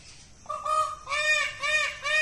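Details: Peacock, described as a dancing bird, giving loud nasal honking calls: one drawn-out harmonic note followed by three quick, strident repeated honks, each rising slightly at the end, over a quiet background.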